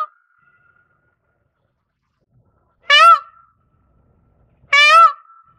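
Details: Indian peafowl, Pavo cristatus, calling: two loud, harsh, nasal blasts about two seconds apart, each rich in stacked harmonics and ending in a thin drawn-out tail, over an otherwise silent background.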